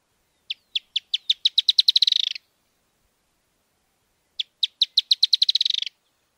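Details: Narrow-billed Woodcreeper from Argentina: two high, clear song phrases, each starting with spaced notes that speed up into a rapid, slightly descending trill lasting about two seconds; quiet background.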